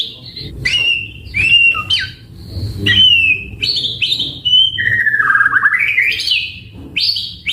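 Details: White-rumped shama singing a varied, chatty song for provoking responses from other shamas: clear whistled notes, abrupt high upslurs and a drawn-out undulating warble, with short pauses between phrases.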